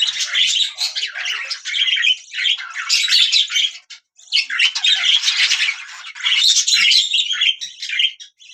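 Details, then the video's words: Budgie parrots singing: busy, scratchy chatter of squawks and chirps in long bursts, broken by short silences near four and eight seconds. "Budgiea chirping"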